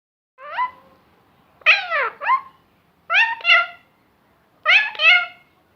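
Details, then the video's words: Talking parrot imitating words: four short voiced utterances with strong harmonic, speech-like bands, each a rising-falling syllable pair, spaced about one and a half seconds apart in a quiet room. "Talking Parrot saying Allah Hoo and many more words"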